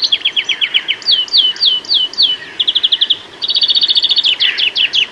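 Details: UK greenfinch song: bright series of repeated chirped notes and quick trills, each phrase changing to a new note type, ending with a rapid even trill and a few louder slurred notes.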